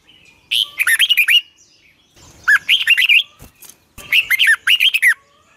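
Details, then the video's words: A red-whiskered bulbul gives lure-style morning song, 'long twisted double voice': three phrases of quick, ringing whistles that rise and fall, each under a second long, with a soft click between the second and third. "Luyện chào mào hót sáng 2020, Giọng kép xoắn dài Quá hay"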